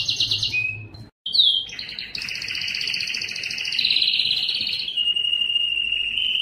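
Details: Yellow canary singing a high buzzy roll and a short whistle, then after a brief silence a swelling rolling trill that dips and rises before settling into a long, even, lower trill.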